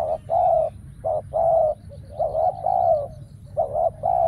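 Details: Spotted dove used as a decoy during trapping: mellow, low cooing phrases in short bursts, roughly two to three per second with brief gaps, some phrases slurred, over steady low background rumble.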